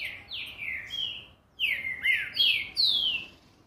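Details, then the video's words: A Green-winged saltator (trinca-ferro) sings fast, delivering a run of loud, clear whistled slurs, some dropping and some rising, in two quick bursts. "Olha a VELOCIDADE desse TRINCA-FERRO"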